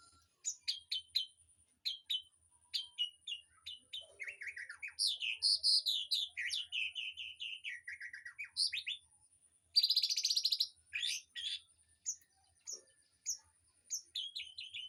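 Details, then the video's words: Aviary birds recorded to train a white-rumped shama: a long, varied stream of sharp chirps and tumbling whistled phrases, with a dense buzzy burst midway, then scattered high chirps. "Suara Burung Di AVIARY//Untuk Masteran Murai Batu"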